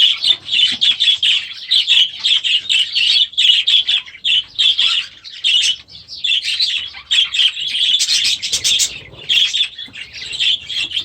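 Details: Young budgerigars bred last year, newly released into a new aviary at the start of the season: dense, continuous chattering of many birds, with scratchy warbles and sharp chirps overlapping almost without pause.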